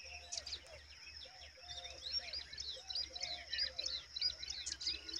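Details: Pipit babies in a nest: a rapid stream of high, squeaky chirps and short rising notes from several chicks, about one and a half per second, over softer lower murmurs and a steady background hum.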